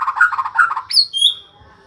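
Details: White-rumped shama, described as singing day and night, gives quick warbling chatter followed by one high rising-then-falling whistle that trails off.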